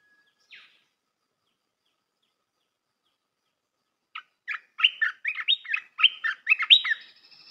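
A bulbul gives one short chirp, then after a pause a quick run of bright, warbled, rising and falling notes. The background is otherwise quiet.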